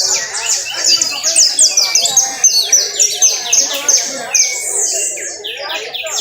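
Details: Canary trilling in Valledupar: a dense, high, rapid run of sweeping chirps and rolled trills, steady and unbroken for six seconds, with faint low murmurs behind.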